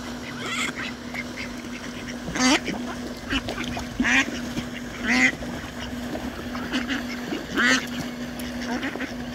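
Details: Mallards at Ebertpark, with drakes fighting to mate with a female, give loud, harsh quacks in short bursts every one to three seconds, with softer chatter between, over a steady low mechanical hum.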